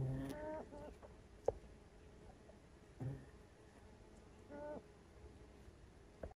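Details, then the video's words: Grouse in Mount Rainier National Park, Pacific Northwest, recorded quietly with volume turned up; three short, low harmonic calls come at about 0.3, 3 and 4.6 seconds, with faint low thumps and a soft background hiss between them. "I had to turn up the volume so you could hear the Grouse."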